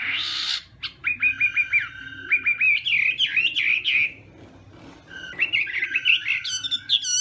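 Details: Chinese hwamei in morning singing practice: a burst of rapid down-slurred whistles repeated in a quick series, then looping warbled phrases, a short pause, and more varied high whistles.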